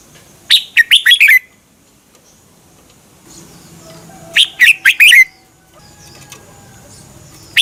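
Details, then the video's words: A red-whiskered bulbul gives short bursts of four or five bright, bubbly whistled notes, repeated every few seconds over a quiet background. The song is meant to be played so other bulbuls copy it. "เสียงนกกรงหัวจุก สำหรับต่อ หรือ เปิดให้นกคึก เสียงเพราะๆ"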